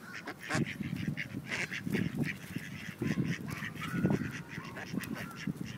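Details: Rejected male ducks pressing a female in a forced mating attempt in Wilmington, NC: loud, irregular, honking quacks overlapping in a noisy flurry, with splashy broadband bursts.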